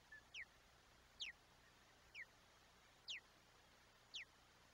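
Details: Osprey at a nest in Chesapeake Bay on 22 July 2021, picked up by a live nest camera as an adult brings a large fish for the chick's breakfast; thin, sharply descending whistled chirps, about one per second, over a steady low hiss.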